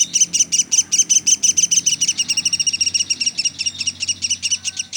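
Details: Pelatuk sampit, a woodpecker, delivering rapid high chips in close pairs and small clusters, repeated steadily with barely a break.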